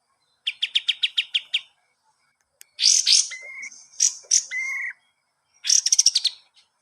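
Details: Kapas tembak, the pied triller, recorded as cage-bird master song: a short series of repeated chips, then harsh noisy bursts mixed with flat drawn-out whistles, closing on a quick buzzy trill.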